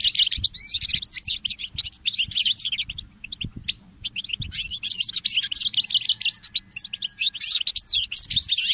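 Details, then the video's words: Early-morning goldfinch mule song: busy twittering and trilled phrases, a quieter gap with a few isolated chips, then another long, energetic stretch of high warbling. "The inspiring Motif of the Mule Goldfinch"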